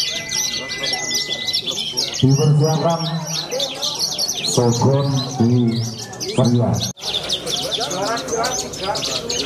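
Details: Young Oriental skylark from central Cilacap, Indonesia, a contest bird with a winning record: dense, rapid, high chirps and buzzy trills run without pause, while a man talks loudly over the middle seconds.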